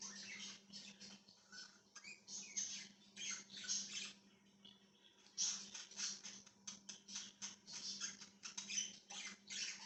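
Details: Budgerigar chirping, 1/6/2023, long run of raspy warbling chatter and short piping notes, easing briefly around four to five seconds before resuming busily, with a steady low hum in the background.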